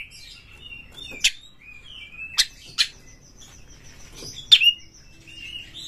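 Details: Oriental magpie-robin (kacer) lure song meant to trigger fighting. Sparse, sharp snapping notes spaced about a second apart, joined by thin sustained whistles, over a faint low hum.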